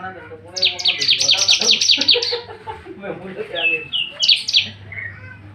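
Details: Bar-winged prinia out of its cage in full song: fast series of high, strident repeated notes, followed by a mix of lower warbling sounds and brief clear whistles, with a low background hum.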